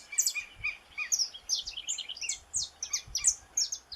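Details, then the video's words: Brazilian saffron finch delivering rapid, high chirps and slurred notes in an irregular, excited sequence, with a light hiss and faint low noises behind. "Canário da Terra"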